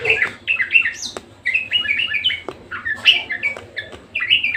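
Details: Budgerigar singing hard: bursts of quick bright chirps and warbled notes with a few sharp clicks between phrases and brief gaps.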